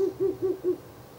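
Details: Four clear, deep hoots at a steady pace, about a fifth of a second apart, from a Ural owl visiting its nest box on the night of 16 April 2024, the third such night.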